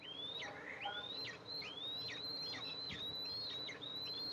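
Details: Eastern imperial eagles, the mother coming to feed two eaglets at the nest, July 14, 2024, nest camera. Long high whistles slide upward and break into quick downward flicks, closely strung together over a steady background hum.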